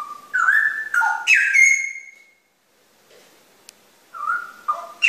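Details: Straw-headed bulbul (cucak rowo) giving a short bubbling phrase of liquid whistles ending in a long drawn-out upward note, a quiet gap with a faint click, then the song restarts.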